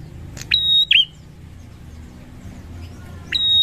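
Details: Bar-winged prinia song for luring birds: a click then a level high whistle and a dropping twangy note, a long quiet gap, then another whistle starting at the end, over a soft low hum.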